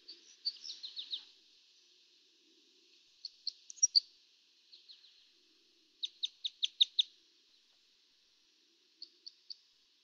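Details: Red Crossbill giving sharp, high chip flight calls and short, rather weak song phrases in bursts, including a quick run of five or six notes, then a few spaced calls; a soft recording.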